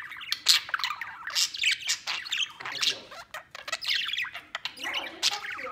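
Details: Pet budgerigars playing outside the cage; harsh squawks mixed with rapid chirps and scratchy warbles in a busy, continuous stream.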